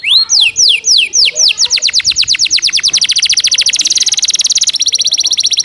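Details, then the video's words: Canary with Java sparrow-style fill song, fast and dense: repeated downward-sweeping whistles speeding up into a rapid buzzy trill of tight notes that holds steady for several seconds. "SUARA BURUNG KENARI ISIAN GELATIK BATU SPEED RAPAT"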